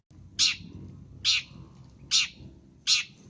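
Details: Long-tailed shrike sound used to lure: four strident, nasal, grating squawks coming regularly about every 0.8 seconds over a steady low background rumble.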